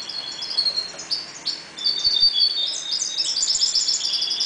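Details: Caged European goldfinches breeding in a 1.2 m cage give continuous rapid liquid twittering, high and tinkling, with fast trills and buzzy notes that grow denser and louder toward the end.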